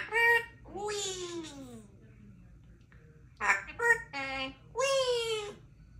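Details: A 3-year-old female Congo African grey parrot, a pet practising her words and numbers, mimics speech such as counting and "happy birthday" in short, rich harmonic bursts, some sliding downward, like a child speaking, in a quiet room.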